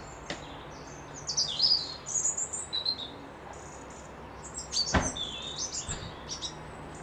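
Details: Birds singing by a loch at a Dundee lodge: bursts of high, rapid twittering and squeaky whistles from more than one bird, with a short thump partway through and a quiet low hum beneath.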